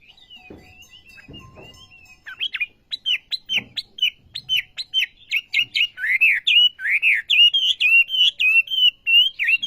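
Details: Wambi, the olive-backed sunbird, singing keenly: soft high notes with low knocks at first, then a fast, steady series of sharp high chips giving way to looping, arched whistled phrases that run together.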